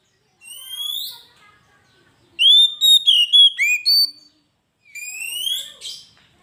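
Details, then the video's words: Kacer, or Oriental magpie-robin, in full gacor song used as a lure master: a lone rising whistle, a pause, a burst of five quick sliding whistles, then another long upslurred note with a buzzy ending. "Suara burung Kacer gacor masteran pancingan suara burung kacer"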